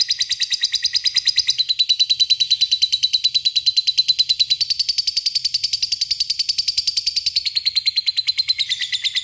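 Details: A lovebird's extended ngekek, a long trill that calls out to a rival: rapid, evenly pulsed high chatter running unbroken for over nine seconds, its pitch wavering a little up and down.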